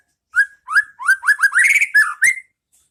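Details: White-rumped shama song in the pastol ngeplong style, used as master song to train caged birds: a run of about nine rich, rising whistled notes near the same pitch, quickening into a dense burst, then a final upslurred note.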